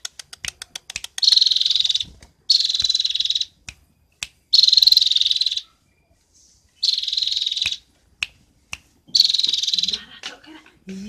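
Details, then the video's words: Cinereous tit, locally gelatik batu, from Roban, Subah, Batang, described as singing constantly with plenty of fill-in song material. Five dense, buzzy, high chattering bursts, each about one second long, are separated by short gaps and sharp clicks. "Gelatik batu isian se abreg,super gacor"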